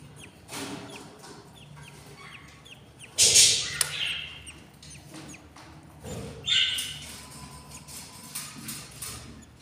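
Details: Albino budgerigar couple nesting, four of seven eggs hatched; faint thin chirps run steadily underneath, broken by two loud, rasping squawk bursts and a few clicks or thumps.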